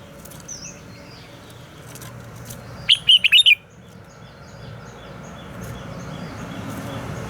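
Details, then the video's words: Red-whiskered bulbul morning song used to train captive birds: one short burst of four or five rapid whistled notes in the middle, set against steady broadband background noise and faint distant chirps. "Luyện giọng cho chào mào hót sáng - ép chào mào hót âm kép già rừng hay tuyệt!"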